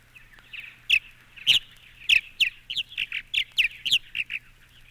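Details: Purple Martin giving a loose series of short, throaty chirps and gurgles at about two per second, some notes harsher and louder than others.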